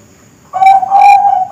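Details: Young Bangkok zebra dove (perkutut Bangkok) giving two drawn-out, smooth coos run almost together at a steady pitch, sounding rich and ringing against low background hiss.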